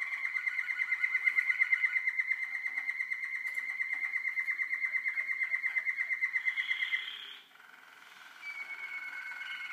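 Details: Young Waterslager canaries in 2012 deliver a long, very regular water-like trill for about seven seconds, then a short pause and a higher, thinner continuing roll.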